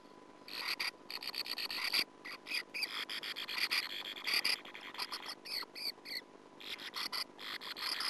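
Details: Sand martins at the nest, nest camera footage from 2009: rapid runs of harsh, rasping buzzes repeated almost continuously, broken by brief pauses, with a steady low hum behind.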